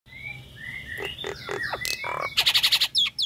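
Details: Female Nias hill myna in breeding condition calling the male, ngekek style: slurred whistles sliding around mid pitch, then sharp broadband chips and a fast burst of about eight harsh repeated notes near the end.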